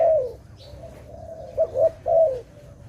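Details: A dove's long purring coo trails off, followed by two quick rising coos and another drawn-out, slightly falling coo, with low steady background hum.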